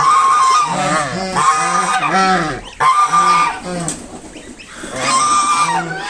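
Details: Mother swan honking to drive a person away from her five newly hatched cygnets: nasal, harmonic honks repeated in quick uneven bursts, with a short pause near the middle.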